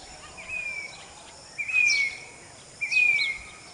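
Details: Grey-bellied cuckoo (Cacomantis passerinus) in a backyard at Vidyanagar, Karad, Satara, India, 13 March 2021, gives clear, high whistled notes, each drawn out and gently falling, repeated about every second and a quarter, over a steady insect hiss.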